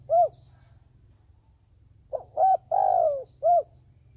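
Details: Decoy dove for trapping: a lone rounded coo, a pause, then a full phrase of short lead note, clipped coo, long falling coo and closing coo; low hum persists.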